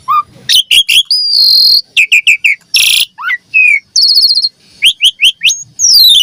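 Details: Javan pied starling lure song for young starlings: whistled and buzzy notes, a sustained high whistle, a harsh rasp, quick chirp series and a long falling whistle at the end.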